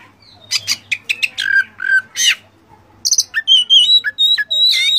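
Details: Oriental magpie-robin (kacer) master song packed with varied mimicked phrases: bursts of sharp chirps and harsh notes, a short pause, then clear whistled slurs and rapid high trills.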